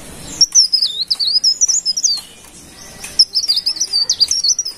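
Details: Golden-bellied gerygone, called cikrak daun or pare pare, singing lively: two high, wavering whistled phrases of rapid sliding notes, each lasting about a second and a half, separated by a short pause.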